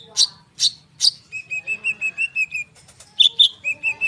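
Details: Common iora singing as a lure to draw quick responses from young sunbirds. Three loud sharp chips open, then an evenly paced row of mellow whistled notes, a pair of bright high notes, and more whistles.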